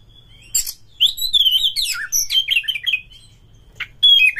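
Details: Oriental magpie-robin in vigorous song used to spur other kacer birds to sing and spread their tails: a long, winding run of sweet whistles and warbled slurs, a pause, then a harsh note and a falling whistle.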